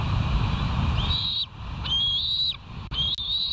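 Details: Bald eagle filmed by a West End nest live cam on 13 September 2023 around 12:29, giving three high, thin whistled notes, each rising then levelling off, over steady low wind rumble.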